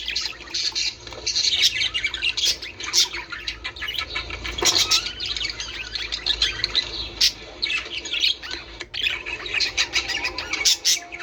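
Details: Budgerigar warbling played to stimulate breeding: dense, continuous high chirping and twittering chatter with quick squeaky notes, plus a few sharp clicks and a brief low thump near the middle.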